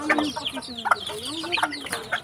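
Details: Red junglefowl, many birds let loose to roam a backyard, give rapid, choppy clucks and short harsh notes that overlap in quick succession, with fainter chatter from other fowl behind.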